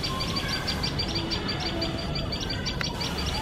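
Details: Shrill alarm from a tailorbird pair as a male cat sits close to their nest: quick high piercing chips repeated about three times a second, a faint low hum underneath.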